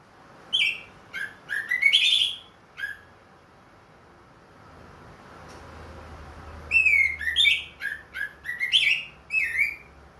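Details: Caged orange-headed thrush with a ring, singing steadily again after finishing its moult: loud varied whistled phrases, some rising and some falling, in two bursts separated by a quiet pause of about three seconds, with faint low hum in the background.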